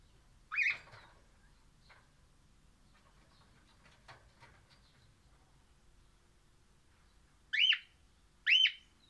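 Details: Crimson rosella of orange colouring, singing happily: one ringing arched whistle, a long pause with soft clicks, then two more rising-and-falling whistled notes a second apart.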